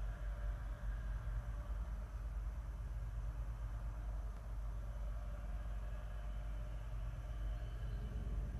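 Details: Steady roar of traffic and low mechanical rumble, with no animal sounds.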